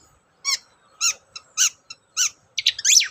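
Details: Long-tailed shrike singing as a lure to spur other shrikes into song: separate, sharp, ringing high notes about half a second apart, closing with a quick jumble of scratchy twittering.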